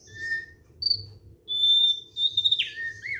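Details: Thick-billed white-eye, relaxed song: brief high whistles followed by a long, pure, steady whistled note and a quick sharp downward slur ending in twittering.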